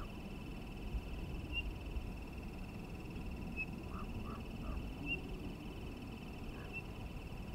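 Townsend's solitaire gives single clear, high whistled notes every second or two, faint over a steady low rumble, with a few soft lower sounds midway.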